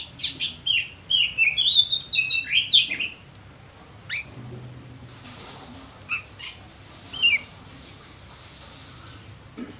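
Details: Oriental magpie-robin (kacer) lure song meant to provoke other birds and get silent or lazy birds singing: a quick burst of varied whistled, sweeping high notes for three seconds, then only scattered short chirps over a faint background hiss.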